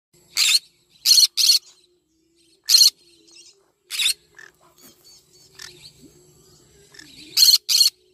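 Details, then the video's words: Yellow-sided conure singing in the morning: short, loud, harsh screeching bursts, one then a quick pair, then single shrieks spaced about a second apart, and a final close pair, with faint soft chatter in between. "Yellow sided conure singing sounds in the morning."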